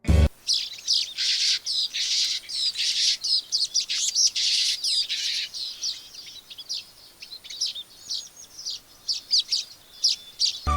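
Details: Streaked Weaver in Sri Lanka chattering: dense, buzzy, high-pitched sputtering in bursts of one to two seconds, easing into scattered short chips and ticks.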